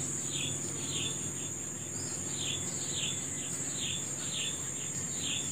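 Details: Birds in the morning giving short, bright, downward-sliding chirps repeated about twice a second over a steady, high-pitched insect drone and faint low rumble.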